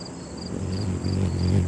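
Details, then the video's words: Ruby-throated hummingbird recorded very close from above at nectar, its wings beating about 50–200 times a second, making a loud, low, steady buzzing hum that swells slightly louder; faint high insect chirps repeat about twice a second behind it. "Hummingbird Wing Sounds"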